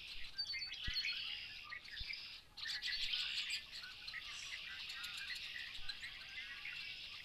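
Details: Several American robins eating sumac seeds after a spring snowfall in Maine give a busy, overlapping chatter of high thin chirps and squeaky notes; noisy red-winged blackbirds call in the background.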